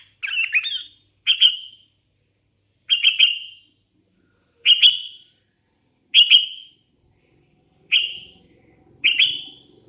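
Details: Short, clear whistled phrases from a hand-raised sooty-headed bulbul, each a quick rising and falling note, repeated about every one and a half seconds, with seven phrases in a row over a quiet background.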